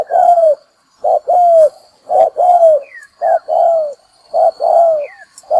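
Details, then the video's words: Trapping lure call of a spotted dove: deep coos in regular pairs, a brief first note then a longer downward-curving second note, repeating roughly every second, with thin chirps faintly in the background. "Tiếng chim cu gáy mồi kích bổi đá lụp"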